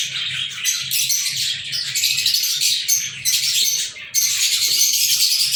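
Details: Several pet lovebirds recorded on 14 February 2023 squeak and chirp in overlapping shrill bursts, briefly easing off before rising again, with a low hum in the background.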